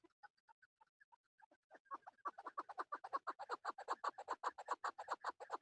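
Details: Male chukar partridge, kept for hunting, calling: a few soft, scattered notes build into a loud, rapid run of harsh, repeated chuck notes, about two or three per second, steady to the end.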